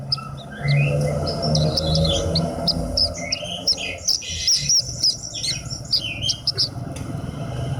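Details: Horsfield's bush lark (branjangan), a hobby bird, giving a run of high, thin chirps and short rising whistles over a steady low hum.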